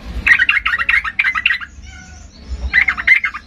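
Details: Agitated Sooty-headed bulbul singing in full voice to provoke silent bulbuls into answering: rapid bursts of bubbly, chattering notes, a pause with faint soft whistles, then another chattering burst, with low background rumble.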